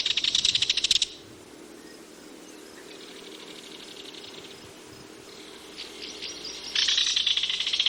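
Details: Kingfisher calling: a rapid, shrill, rattling trill of high notes, loud for about a second, then a quieter stretch of high chatter, before another loud rattling burst near the end.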